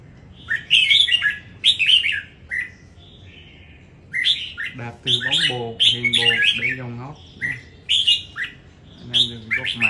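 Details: Red-whiskered bulbul in a singing contest in Đồng Nai, Vietnam, giving bursts of rich warbled phrases, while a man talks loudly over the middle part of the song.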